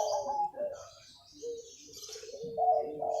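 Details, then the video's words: Local wild-type zebra dove giving its early-morning manggung cooing song: warbled, trilled coos near the same mid pitch, an opening burst, a quiet gap, then a steadier held note with a rolling trill. Faint higher chirps from other birds behind. "Masih pagi MANGGUNG,Suara burung perkutut lokal alam gacor"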